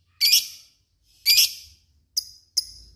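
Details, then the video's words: Fighter lovebird calling with two harsh, buzzy high chirps followed by two shorter clipped notes, spaced under a second apart in a quiet setting. "Ngekek panjang LOVEBIRD"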